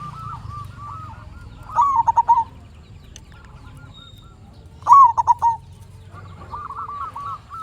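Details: Local zebra dove in full song, used to lure others and spur quiet birds to sing: two loud bursts of rapid, clipped cooing notes about three seconds apart, quieter trilled cooing between them, steady low background hum.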